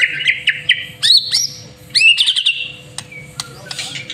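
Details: White-rumped shama, master-trained, sings a lure song: ringing high whistled notes and sharp quick trills in two bursts, trailing into fainter clicks, with a low hum throughout.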